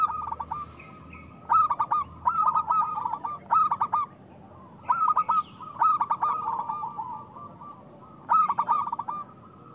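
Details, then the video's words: Zebra dove of local type singing with a strong voice as a lure for doves that seldom sing: crisp, stuttered cooing phrases come in clusters every one to two seconds over low hum. "Perkutut lokal gacor Suara Besar Pancingan Untuk Perkutut Susah Bunyi"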